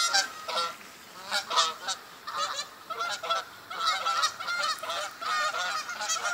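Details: October sunrise fly-in of geese at a park in Godfrey, Illinois: many birds honking together, bursts of nasal, resonant calls rising and falling in waves.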